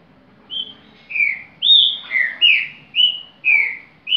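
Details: Green-winged saltator singing in the repetidor style: a run of about eight loud, clear whistled notes, each sliding down slightly, alternating between higher and lower pitches at a quick, uneven pace, against a quiet background.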